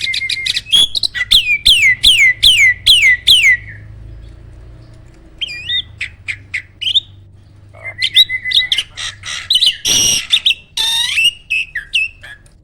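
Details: Caged jalak starling from an Indonesian bird farm singing in the Roll, Tembak and Speed styles: a run of six loud downward-slurred whistles about half a second apart, then scattered sharp clicks, a level whistle and harsh chattering bursts.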